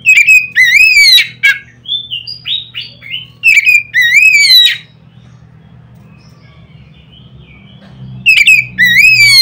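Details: Oriental magpie-robin, loud notes to provoke rival magpie-robins: rich whistled phrases with rising slurs and short chirps, a long quiet gap, then another vigorous burst.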